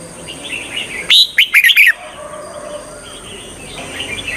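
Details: Red-whiskered bulbul singing as a decoy to lure wild birds for trapping: a brief burst of bright, warbled whistled notes, three or four quick phrases, set against a steady high hiss and faint chirps of other birds.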